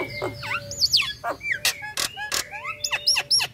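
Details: Female Nias hill myna in breeding condition calling the male in ngekek style: looping whistles, sharp vertical clicks and upswept notes in quick irregular bursts, with a steady mid-pitched tone underneath.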